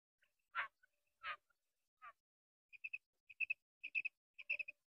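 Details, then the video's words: Female common quail, called madi batair, giving clipped, high ticking notes in quick pairs and triplets, repeated roughly twice a second, preceded by a few louder, harsher descending notes. "Female quail sound | madi batair awaz"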